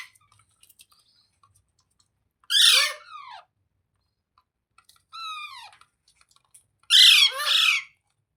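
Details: Parrot making three loud squawks a few seconds apart: coarse, broadband screeches that bend downward, with near silence between them.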